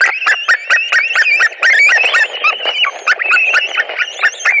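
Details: White-tailed eagles at a nest in Latvia on 2 August 2020, screaming as a carp is delivered and birds fight over it; rapid burst of short, sharp screeching notes mixed with dense clicking and scuffling knocks.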